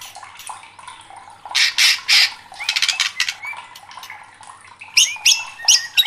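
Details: Agitated white-rumped shama, heard in a fired-up outburst: a few quiet whistles, then loud harsh rasping bursts in groups of three, a quick stutter of clicky notes, and more scratchy squawks mixed with high whistles near the end.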